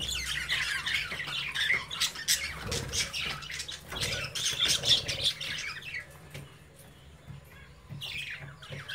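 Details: Budgerigar chicks playing in their cage while the parents watch; dense, scratchy chattering and squawks with warbled notes, fast and irregular, continuous through the first six seconds, then quieter with a final burst of chatter.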